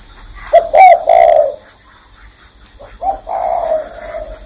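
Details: Spotted dove perched on a person's hand, cooing: a short hoarse note, a higher bent note and a longer drawn-out low coo. After a pause of about a second and a half, a second low coo phrase begins. Background otherwise quiet.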